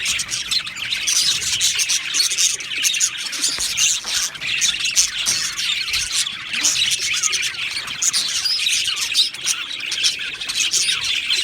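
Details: Budgerigars in an aviary colony, Australian budgies kept together, chattering continuously with a dense wash of high, warbling chirps and squawks from many birds at once, steady and unbroken throughout.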